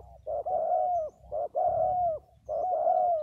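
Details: Spotted dove giving loud, drawn-out hoarse coos, a short note followed by a long flat one, repeated about once a second with brief gaps.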